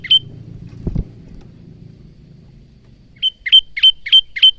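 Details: Male Bar-winged prinia recorded for training caged birds: one high chirp, a stretch of low rumbling noise with a knock, then five clipped rising chirps at the end.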